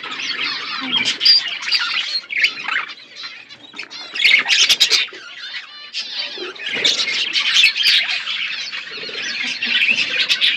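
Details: Budgerigars in an outdoor aviary, eating seeds: busy, high warbling chatter from several birds, rising and falling in bursts, with a short quieter gap near the middle before the chorus swells again.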